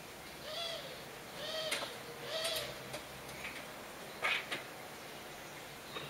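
Common starling giving a loose run of slurred whistles with harsh clicks and rattles, spaced irregularly about every second, over a steady faint background hiss.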